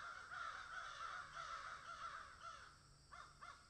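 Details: Crows in a garden caw in hoarse, overlapping runs, then give two separate harsh caws near the end, about half a second apart.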